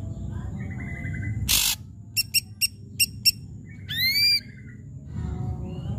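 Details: Loud, vigorous ashy drongo song of the kind used to lure quiet drongos into singing: a harsh broadband burst, five sharp clicking notes, then a rising, strongly bending whistle with a buzzy edge. Steady low background hum.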